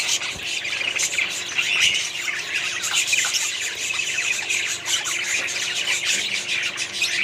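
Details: A small colony of caged budgerigars fills the air with overlapping chirps, squawks and warbling notes, a constant busy chorus with no pauses.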